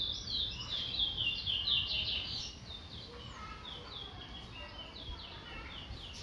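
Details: Towa towa, the chestnut-bellied seed finch, Guyana: a dense run of high, rapid warbled notes for the first two seconds, then softer scattered chirps against steady background hiss.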